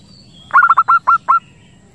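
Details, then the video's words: Zebra dove calling for luring and breeding stimulation: a single tight burst of six short, clear cooing notes, the first few run together, the last ones more spaced, over low background hum. "PIKAT PERKUTUT ‼️ Suara Jernih Ampuh Buat Pikat & Masteran Perkutut Untuk Merangsang Birahi"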